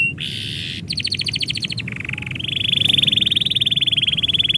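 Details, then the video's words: Canary song at its owner's departure: a buzzy burst, a fast pulsed trill, a lower burr, then a long rapid rolling trill held on a steady pitch. "kenari bunyi ketika yang punya mau pergi"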